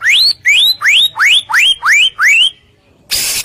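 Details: White-rumped shama, known locally as murai batu, in energetic gacor singing used to make rival shamas answer: seven clear upslurred whistles, evenly spaced about every third of a second, followed by a brief burst of noise.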